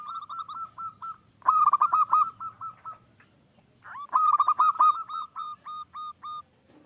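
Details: Wild-type local zebra dove from Indonesia, a frequent caller used as a lure: two bursts of fast, even cooing notes, loud and rich at the start of each burst, then trailing off into softer repeats.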